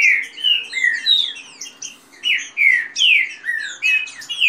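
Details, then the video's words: Green-winged saltator fast song, kept birds in a singing contest, with female calls and the rain-song style: loud slurred whistled phrases, each dropping or rising, delivered in quick succession about every half second. "trinca ferro canto rápido com macheado de fêmea e canto de chuva"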